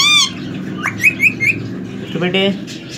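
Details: Semi hand-tamed male ring-necked parakeet aged three: a falling whistle, then three short bright chirping whistles, and a brief harsh buzzy burst near the end.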